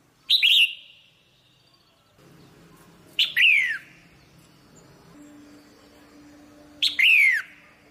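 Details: Red-whiskered bulbul female stimulating the male with three loud bursts of chirps, each ending in sharply falling whistled notes. A low steady hum and faint background noise sit beneath.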